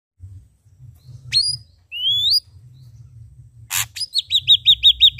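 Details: Ashy drongo, locally called srigunting abu-abu or saeran abu, red-eyed, singing energetically: clear rising whistles, a short harsh buzzy burst, then a fast run of about eight repeated looping high notes. Low background hum throughout.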